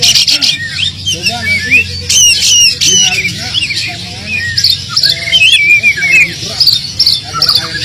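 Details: Oriental magpie-robin singing insistently, its song full of filler phrases, to draw silent magpie-robins into song; mixed harsh buzzy bursts, rapid chips and twisting whistles repeat about 150 times a minute, over a low hum.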